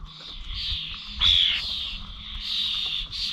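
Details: Common starlings at village bird feeders in Corby on 21 November: a steady wash of harsh, buzzy chatter with a brief louder whistled burst midway, low hum beneath.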